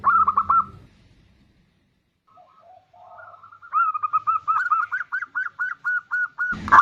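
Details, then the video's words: Zebra dove, bodronoyo type, played to draw other birds into singing: a short run of coos, a quiet gap with faint soft notes, then a long accelerating string of clear, bouncy repeated coo notes. "Pancingan perkutut bodronoyo gacor super ampuh untuk pancingan."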